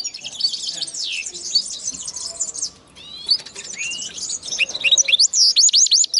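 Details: Hybrid of linnet and canary singing dense high twittered phrases, a short pause, then rising whistled notes and a run of looping chirps.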